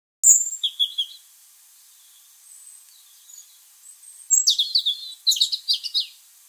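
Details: A tame European robin sings from a tree above a garden on 27 November 2020: thin, high, wistful phrases of trills and tumbling notes separated by pauses of a few seconds, with a quiet background.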